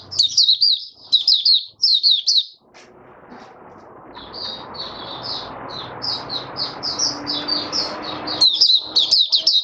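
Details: Caged oriental white-eye in open song, recorded 20 January 2022 on the fifth day after deworming; quick high twitters at first, then thinner notes over a broad steady background hiss before loud twittering returns.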